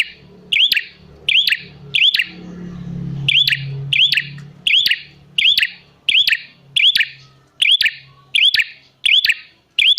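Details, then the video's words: Prinia call played as a lure for wild and reluctant prinias: rhythmic bursts of clicks and a rising whistle, regularly spaced, with a low humming drone underneath early on. "Pancingan Prenjak Gacor Jamin Prenjak Malas Bunyi Langsung Nyahut"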